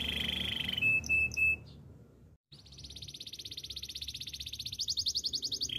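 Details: Canary training song: a steady high warbled tone and a few short whistles, a brief silence, then a long fast high trill that gradually strengthens and rises in pitch.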